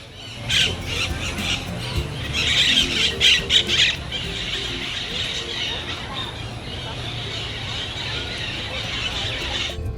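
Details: A flock of Pacific Parakeets gathers in town-centre trees in Antigua in the afternoon before leaving for their night roost, keeping up a dense, harsh chorus of overlapping high squawks and screeches, loudest early on, over faint music and town hum.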